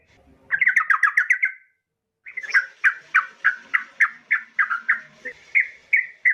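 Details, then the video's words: Female yellow-vented bulbul calling to a male, a lure call: a rapid burst of chirps, a brief pause, then a long steady series of bright chirps, about three per second. "pancingan trucukan BETINA MEMANGGIL JANTAN"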